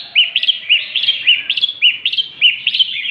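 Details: Red-whiskered bulbul of the northern Vietnamese type delivering lân tê style song, a quick chain of sharp, bouncing chirped notes repeated about twice per second with a steady lilting rhythm and a faint low hum behind.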